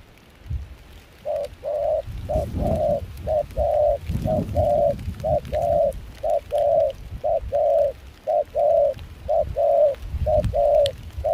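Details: Wild-caught Spotted dove with a mixed foreign-style voice, kept as a trapping decoy in Kon Tum, Vietnam, in rain and cold wind, delivers a steady run of about ten paired hoots, short then long, roughly one per second, beside low thumps.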